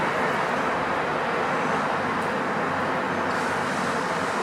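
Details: Steady, loud roar of road traffic fills the whole recording, with no animal calls heard.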